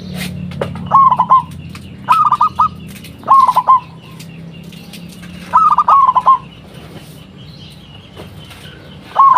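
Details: Local zebra dove from Indonesia calling as a lure so other zebra doves reply: five short bursts of rapid, bubbling coo notes, each under half a second, spaced about one to two seconds apart over low background hum.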